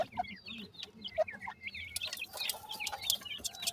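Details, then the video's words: Evening feeding and play among young francolins, heard as quick, rising and falling chirps and twittering peeps, several birds calling at once, a few louder sharp notes near the end. "baby pheasants feed,and play in the evening,teter checks ki sound"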